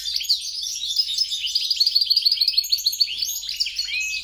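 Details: European goldfinch × grey-crowned goldfinch mule delivering rapid, bright chattering song, a fast run of clipped high notes that pulses evenly and ends with a few looser upward slurred twitters.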